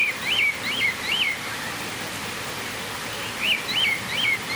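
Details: Cockatiel at Campbelltown Forest of Wild Birds, Saitama, Japan, 31 March 2018, giving two bursts of three loud up-and-down whistled notes each, separated by a pause, with steady hiss behind.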